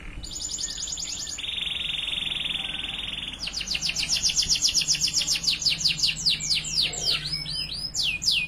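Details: A young Spanish Timbrado canary, played as a training song, opens with a fast high trill, holds a steady metallic roll for two seconds, then breaks into quick, bright descending notes.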